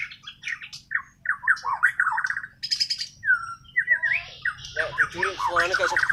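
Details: White-rumped shama from Borneo (Kalimantan), natural unmastered singing: a rich varied run of whistled and chattering phrases around the mid range, quick trills and slurred notes, some harsher rasping bits near the end, steady low hum underneath.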